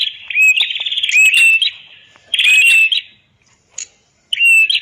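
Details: Prinia called red-headed prenjak, from a master recording meant to get silent birds singing: three bursts of high buzzy song with upslurred whistles, separated by pauses of about a second, one faint tick between them.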